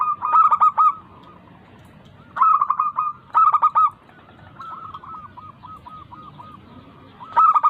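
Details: Local zebra dove song used as a lure to stir lazy doves into singing: bursts of quick staccato cooing notes, then a steady run of short, evenly spaced coos, then another rapid burst, over faint background noise.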